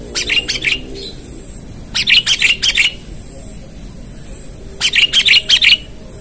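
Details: Sooty-headed bulbul calling rivals, used as a lure: three bursts of four to five sharp, bright chirps in quick succession, the bursts spaced a couple of seconds apart over a quiet background.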